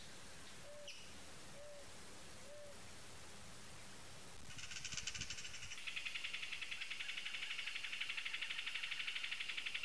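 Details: Three soft low hoots from another bird open, then a pair of Amazon kingfishers break into a harsh, fast rattling chatter that carries on steadily to the end, ticking about four times a second.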